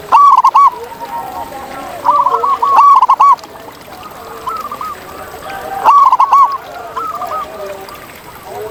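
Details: Wild zebra dove in nature, loud clipped cooing phrases roughly every three seconds, each a quick string of short notes, with a chorus of fainter doves cooing in between.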